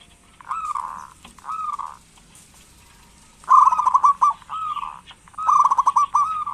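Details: Local zebra dove cooing to coax lazy doves into song: two single drawn-out coos, then two fast, rattling trilled phrases of mellow notes.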